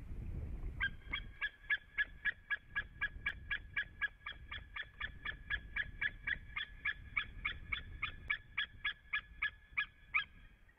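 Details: Male white-tailed eagle at a nest in Latvia, calling after arriving and waiting for the female, 25 February 2017 at 9:21 in the morning. Harsh, ringing yelps repeat steadily about four times a second for ten seconds, over low wind rumble.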